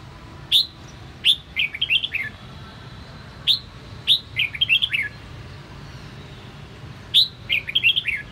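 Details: Sound of a captive red-whiskered bulbul of the Sông Kon line in voice training: three repeated phrases, each a sharp upswept whistle followed by a rapid chain of warbling, falling notes, spaced by pauses of a second or more.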